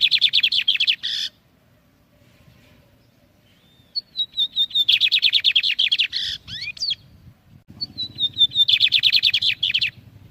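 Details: Lined seedeater singing for the instruction of young birds: three strophes of fast, buzzy repeated chirps, each preceded by a thin falling whistle series, separated by quiet gaps.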